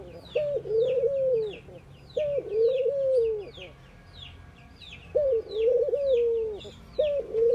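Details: Ring-necked doves in India during morning activity: low mellow coos, each a short rising start sliding into a long steady note about a second long, repeated every two to three seconds, with small birds chirping high in the background.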